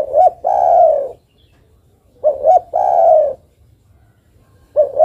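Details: Female zebra dove, known locally as derkuku, calling for a male: twin short notes and a drawn-out, rolling, mellow coo, repeated about every two and a half seconds. Two full phrases are followed by the start of a third.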